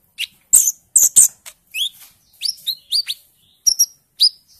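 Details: Konin bird in early speckled-green juvenile plumage, trained among other birds and used as a lure to make birds sing: sharp clicks and then clear slurred whistles, rising and falling, given in short separate phrases.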